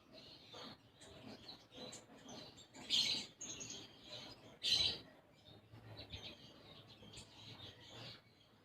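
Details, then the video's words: Konin, a sunbird, in gacor song filled with isian gereja, sparrow-type phrases: two strong bursts of high chirping stand out amid softer, irregular twittering notes spread across the clip. "Konin Gacor Isian Gereja"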